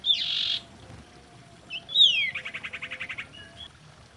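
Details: Common iora, a lure call for stirring breeding birds: a harsh buzzy burst, then a falling whistle and a fast pulsed trill of about ten notes.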